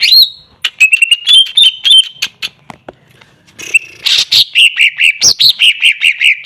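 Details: Greater green leafbird opening with clear steady whistles and ticks, then a quiet gap, then a rapid series of loud repeated chirps.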